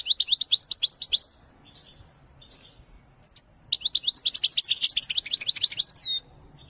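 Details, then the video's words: Goldfinch in the Wedani style delivering fast runs of clear, bouncing twitters. A quieter gap with scattered notes is followed by a long, accelerating, jingling trill that closes with a buzzy flourish. "أقوى تغريد الحسون الويداني"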